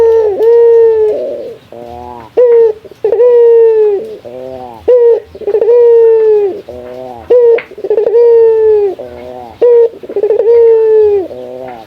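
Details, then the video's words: Local male Barbary dove (puter) calling a rival, a strong bird used as a lure or tutor recording. Mid-pitched rolling coos with a long sustained note repeat roughly every two seconds, loud and clear throughout. "Suara mewah jago memanggil lawan."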